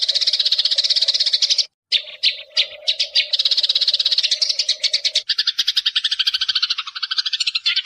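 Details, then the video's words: Eurasian tree sparrow calls used as a lure: rapid high chirping interrupted by a silent gap and scattered single chirps, then a denser, layered chattering stream with lower buzzy notes. "MASTERAN PANJANG BURUNG GEREJA"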